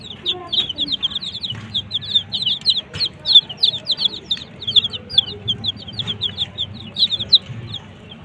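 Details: Desi chicks chirping beside a colored hen: a dense run of high, quick, downward-slurred peeps from several chicks, overlapping steadily throughout with faint background noise.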